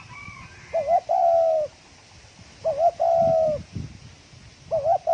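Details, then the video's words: Spotted dove giving rapid 'thổ còi' calls to stimulate other doves: phrases roughly every two seconds, each a brief warbled double note then a sustained mellow coo, the third phrase cut off, with soft thumps between. "Tiếng chim cu gáy thổ còi tốc độ gáy cực nhanh cực chất kích bổi lên nhanh"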